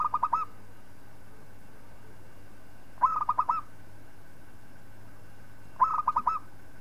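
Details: Zebra dove of local type, singing for the training of other birds: three short cooing phrases, each of about five rippling notes, repeated roughly every three seconds over a low constant hum.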